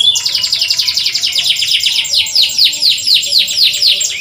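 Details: Canary song used to prompt reluctant canaries to sing: a dense, very fast high trill, followed by repeated downward-sweeping chirps about four per second.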